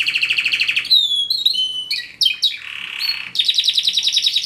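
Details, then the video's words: Singing canary: a fast rolling trill breaks into varied sliding whistles and buzzy notes, then a harsh raspy passage, before a bright rapid trill resumes, all close and loud. "Canaries - Canary - Song - Singing"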